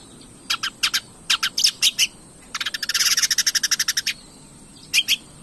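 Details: Long-tailed shrike (cendet) in full song, played to provoke other birds to sing: scattered harsh, broadband rasping notes, then a fast run of about twenty clipped, buzzy notes, ending with two more harsh notes.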